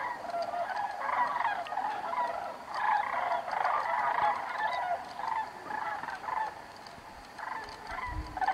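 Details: Sandhill cranes catching a thermal on their way north for the summer over Bandelier National Monument give rolling, trumpeting calls that overlap as from a flock, rising and falling in bursts of one to two seconds.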